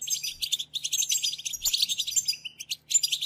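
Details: European goldfinches singing as a group to urge another goldfinch into song, with rapid, crowded high-pitched twitters, chirps and liquid trills pouring out without a break and a steady faint low hum beneath.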